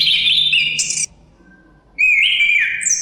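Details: Two loud whistled phrases from a chestnut-capped thrush separated by a one-second pause. Each is a sustained mid-high note with warbling inflections and a brief higher flourish, over light wind noise.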